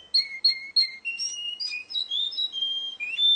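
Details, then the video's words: Competing Russian canary: three repeated two-toned chirps open the phrase, then rolling warbled notes and sustained bright whistles at shifting pitches. "kontes kenari rusia suara unik dan keren"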